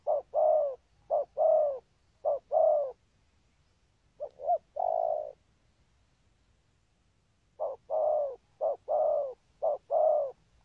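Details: Cooing spotted dove with patterned 'có bài' delivery and 'thúc gù' spurring coos. Short-then-long hollow coo pairs come in bursts, pause for several seconds, then resume in a quicker run.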